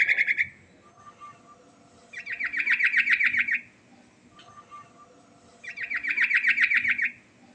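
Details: Yellow-vented bulbul in a lure recording with rolling song and filler phrases: two bursts of rapid, evenly pulsed chattering notes about a second and a half long, separated by quieter pauses with faint background notes.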